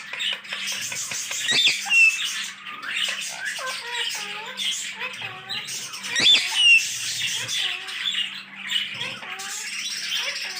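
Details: Green parrots talking, with a steady mix of raspy squawks, short warbled syllables and high chirps running continuously from several voices.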